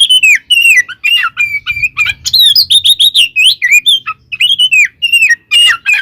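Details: Oriental magpie-robin, a kept songbird, giving a full fighting song used to provoke rival magpie-robins into aggression: loud, rapid run of whistled, slurred notes and sharp chirps at high pitch, varied phrases with brief pauses between bursts.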